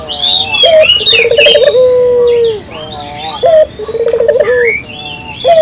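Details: Clear cooing of a local dove meant to attract birds: a short clipped note, then a pulsed roll sliding into a long coo, repeated, with sharp rising whistles of other birds over it.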